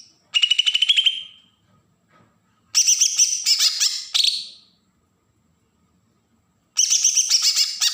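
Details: Green leafbird from Berau, Kalimantan, in agitated besetan song to provoke untrained birds: a rapid stuttering burst, a pause, two overlapping bursts of harsh, shrill chatter, then a quiet gap and a final burst.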